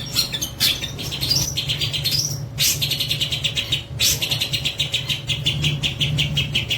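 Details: Long-tailed shrike, a captive-bred bird, singing a busy mix of rising whistled slides, buzzy rapid note strings and sharp chips in near-continuous flow, over persistent low hum.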